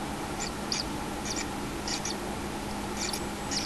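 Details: Common kingfisher at its nest with a one-day-old chick, 6 July 2016: short, high, clicky ticks come in small pairs and clusters, spaced irregularly over a steady background hiss.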